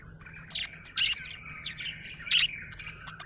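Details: A happy budgie gives loud bright chirps at about one and 2.4 seconds, set in a busy, rolling warble of softer twittering notes.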